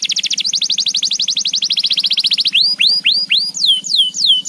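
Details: Canary singing energetically: a fast, even trill of sharp repeated notes for about two and a half seconds, followed by loud, slow, swooping whistles that curve up and down, over a faint hum.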